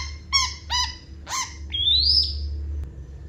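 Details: Long-tailed shrike in lively 'full isian' song: three rich, harmonic downslurred notes, then a thin, drawn-out whistle rising steadily upward, over a steady low electrical hum.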